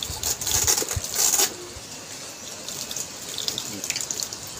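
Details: Water runs from a tap, splashing and gushing, louder in the first second and a half and then steadier, with faint speech in the background and no animal voice.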